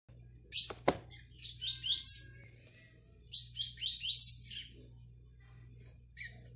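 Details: Young brown-plumaged Double-collared Seedeater learning the tui tui song, recorded 22/05/22: two bursts of high, rapid, buzzy twittering notes after a sharp opening chip, over a faint low steady hum.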